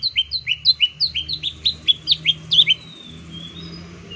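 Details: Green leafbird, a kept songbird used as a lure to make silent birds sing: a rapid series of about fourteen sharp whistled notes, each dropping from high to lower pitch, then a faint thin trailing whistle.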